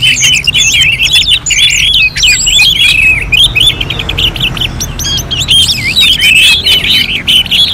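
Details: {'caption': 'Continuous orange-headed thrush song from North Bali in contest simulation style: rich, rapid warble of wavering whistles held at a steady high pitch, flowing almost without a break.'}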